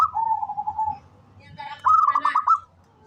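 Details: A local zebra dove, singing readily, opens with a drawn-out wavering coo, pauses, then bursts into a quick stuttering series of bright pulsed notes that fade at the end.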